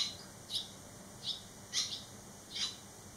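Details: Barn swallow fledglings, three chicks returned, eleven days after leaving the nest; sharp high chirps repeated about every half second to second, four in three seconds, over a steady faint hum.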